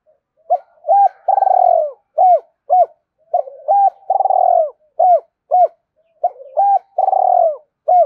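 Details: Cooing spotted dove used to stimulate other doves, repeated phrases of short bent coos each joined to a long buzzy trilled note, the pattern recurring about every two and a half seconds.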